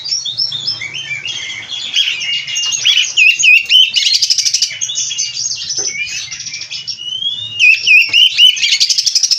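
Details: Caged oriental magpie-robin singing continuously in the packed 'full isian' style, mixing descending whistled slurs, sharp upswept notes and scratchy trilled bursts at a fast, uneven pace; a faint low hum underneath.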